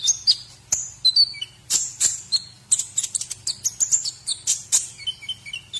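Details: White-rumped shama singing on a recording meant to teach other birds: quick high chips and piercing whistles, ending with a short series of lower, evenly repeated whistled notes.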